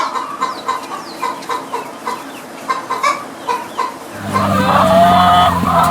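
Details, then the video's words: Chicken making weird noises: a run of soft, throaty clucks repeated about four times a second, then a sudden louder, noisier stretch with a squeaky tone over a rumbling background. "Weird Chicken Noises"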